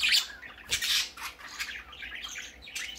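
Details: Baby parakeet leaving its cage for the first time, two loud raspy squawks early on followed by quieter chattering chirps, with a short click partway through.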